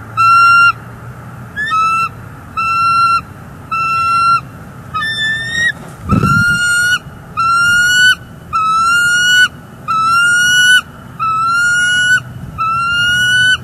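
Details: Bald eagle pair at a nest in northeast Florida, 18 January 2022, on a live nest camera. The male delivers furry food and incubates while the female feeds. A long series of steady, high, ringing notes comes roughly every second, with a brief thump midway.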